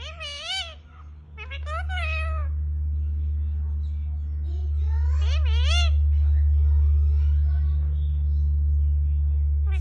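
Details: Pet parrot, female, repeating its owner's name as its first learned word: three short bursts of wavy, speech-like syllables in the first six seconds, then only a loud, constant low hum.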